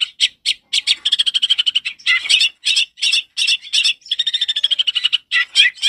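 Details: Loud, clear long-tailed shrike song played as a training lure for young birds: rapid strings of sharp repeated notes alternating with buzzy trills and scratchy phrases, continuous and high-pitched, nothing else audible.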